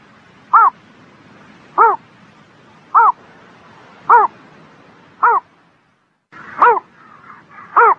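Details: A bird sings on a spring morning with seven brief, harsh, arched notes at a steady pace of roughly one every 1.2 seconds. A short silent break comes before the last two notes, and faint background twittering is heard.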